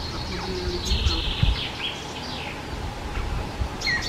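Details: Ring ouzel singing faint, thin piping whistles and short sliding notes in quick broken phrases over a low rumble of wind or background noise, in the Krkonoše mountains in early June, breeding season, mountain forest.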